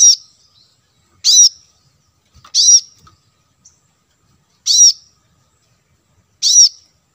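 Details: Plain-throated sunbird, lure audio for attracting wild birds: five short, sharp, high chirps with a downward twist, spaced about one to two seconds apart over near-silence.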